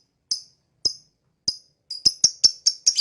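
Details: Lovebird starting with three spaced, thin high chirps, then speeding into a rapid run of sharp tweets, ending in a harsher rasping note.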